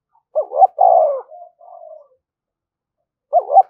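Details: Spotted dove thúc gù coo used to draw wild doves: two clipped notes and a long descending coo, softer trailing notes, then the opening pair begins again.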